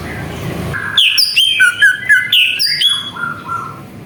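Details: Lure song of a greater green leafbird, played to provoke rival birds: a rapid, varied chatter of bright whistled and slurred notes, some climbing high and some dropping, delivered almost without pause.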